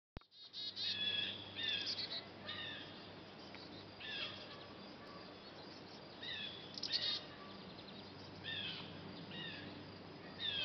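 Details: Two Black-capped Chickadee fledglings leaving their nest box for the first time: high, thin chirps and short slurred notes come in scattered bursts of two to four. Most are clustered near the start and around the seven-second mark, over a steady low hum.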